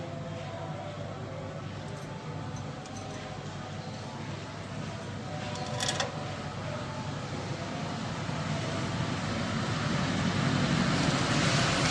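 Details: Steady loud rumbling noise like a passing train or vehicle, with faint speech, growing louder toward the end, and no animal sound.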